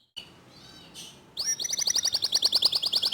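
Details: Canary song played as a training recording to prompt other canaries to sing: a short quiet opening with faint notes, then a fast, even trill of bright, high repeated notes about six per second to the end.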